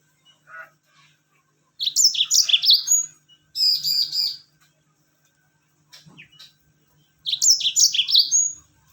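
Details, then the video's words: Yellow-fronted canary song of the "rol tembak" style, meant to prompt other birds to sing along: quick tumbling high warbles ending in a thin whistle, followed by a buzzy rattling trill and another warbled phrase. "masteran Mozambik rol tembak bikin burung lain ikut bunyi."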